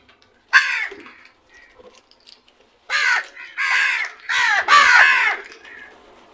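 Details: Crows calling loudly: one harsh, hoarse caw, a pause with faint softer notes, then a burst of three to four raspy caws in quick succession, each with a strongly harmonic, slightly descending tone.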